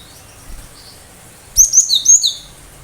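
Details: Cinereous tit in 'tembakan tajam' style: a few soft high notes, then a loud run of about five sharp, slightly descending whistled notes.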